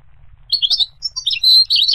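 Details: Brief goldfinch song fragment: a scratchy, high chirped phrase followed by a denser run of twittering and buzzy notes.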